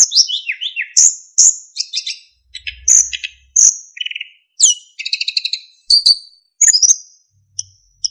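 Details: Narcissus flycatcher singing energetically as a tutor for other songbirds, full of fill-in phrases and clear flute-like whistles: high whistled notes, descending slurred notes, buzzy rattling trills and quick chips in varied bursts, with brief low rumbling.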